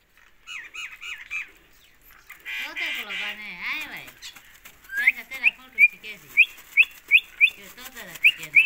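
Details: Rose-ringed parakeet from Pakistan: soft wavering and speech-like sounds at first, then a series of loud, sharp rising chirps repeated roughly every half second.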